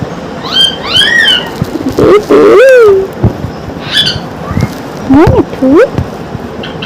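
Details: Pet talking parrot that wakes the household early every morning, chattering non-stop: short, human-like spoken words and rising-falling whistled syllables, with clear bursts around the middle and end, indoors.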